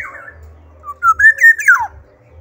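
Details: Black-naped oriole in lively song: a short fluty whistled phrase of a few clear notes that rise and then hold steady before a quick downward slur at the end. Faint low hum runs underneath.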